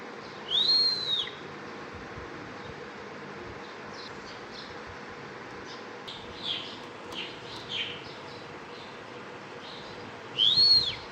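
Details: Bimaculated lark with arching pure whistles near the start and end, about ten seconds apart, and a few faint soft chirps in between over constant hiss.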